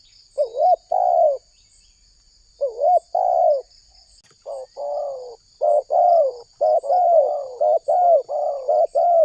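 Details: Energetic spotted dove lure call for trapping doves. A few paired coos give way to a dense, quickening series of low, mellow notes, faintly backed by a steady high whine.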